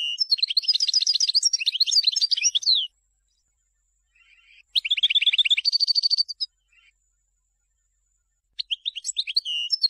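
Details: European goldfinch song chosen for tutoring young birds: long rapid liquid twitters and trills, a dense jangling phrase, then a buzzy rattle and a steady nasal tone, pause, and twittering again.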